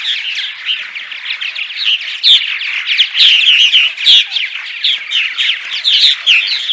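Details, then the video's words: Purple martins giving morning calls used to attract martins: fast, uneven chattering, roughly three notes a second, with louder gurgled bursts standing out now and then. "Morning Vocalizations CD (6 hour loop) - Attract Purple Martins"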